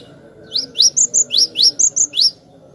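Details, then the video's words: Cinereous tit (glatik batu) in clear, persistent song used as a tutor recording for other songbirds: about eight sharp high notes, each swept upward, delivered in quick pairs over under two seconds, over a low steady hum. "Masteran Glatik batu gacor suara jernih durasi panjang"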